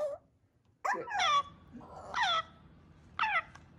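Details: Two-month-old pet African grey parrot chick indoors uttering four harmonic squawks, each sliding downward, spaced about a second apart, the middle ones loud and raspy, in a quiet small room.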